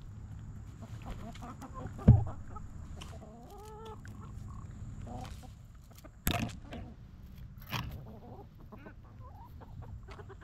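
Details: Chickens in a backyard coop mostly stay quiet, with occasional soft clucks and one short, wavering tonal hen call. Several loud knocks and thumps stand out against a low background hum.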